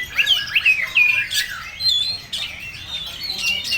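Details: Oriental magpie-robin song: varied high whistled notes, some sliding down and others level, delivered in quick irregular succession over a steady low background hiss.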